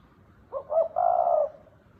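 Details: Spotted dove (cu gáy) giving one short thúc bổi coo, two quick clipped notes then a sustained, even hoot, low and mellow, in a quiet setting.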